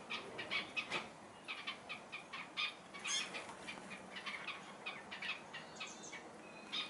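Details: Red-capped Robins feeding newly hatched chicks give thin, high chips and short squeaky notes, several each second in uneven bursts, with faint rustling in between.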